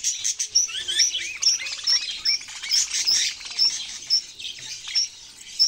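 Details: Budgerigar calling with clear, sharp rising chirps repeated roughly every half second over soft background twittering.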